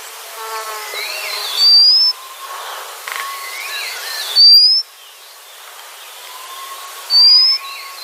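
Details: White-capped redstart singing three thin, high whistles, each rising sharply and lasting about half a second, repeated roughly every two and a half seconds. A faint lower warbling and a steady hum sit underneath.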